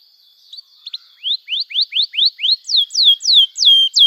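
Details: Canary singing to lure young canaries into learning song: a few soft chips, then a slow series of clear whistled slurs, first rising, later sharply falling and louder, roughly three per second, over a faint steady tone.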